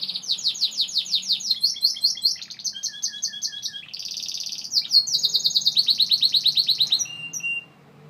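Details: Gloster canary in full song: a varied chain of fast trills and rolls, switching between higher and lower repeated notes every second or so, with a lower buzzy section midway, ending abruptly after about seven seconds.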